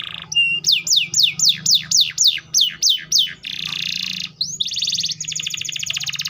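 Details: Canary song with about ten fast descending swept notes in steady rhythm, followed by a long harsh buzzing trill, a quick rising note, and a rapid rattling trill.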